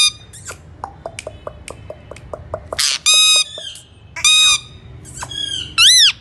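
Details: An Alexandrine parakeet gives a series of quick ticking clicks, then three loud, drawn-out, rasping squawks rich in harmonics, the last one rising and falling.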